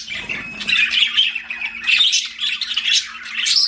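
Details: Pet budgerigars chirping indoors: dense, scratchy warbling chatter with quick squawky notes, continuous over the clip after a brief soft start, with a faint steady low hum underneath.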